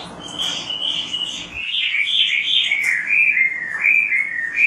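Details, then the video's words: Oriental magpie-robin in lively full song, used as a training track to prompt other magpie-robins to sing: a continuous run of clear whistled and warbled notes, rising then gently falling, with a steady faint hiss underneath. "MASTERAN BURUNG KACER GACOR BERSUARA MANTAB"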